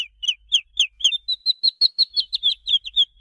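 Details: Chick of a domestic chicken calling with rapid, shrill, falling peeps, evenly spaced and insistent, in a quiet setting.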